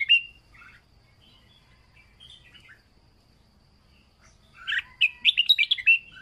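A red-whiskered bulbul gives a brief whistled note, a quiet pause, then a lively burst of quick, bright, chirpy phrases near the end.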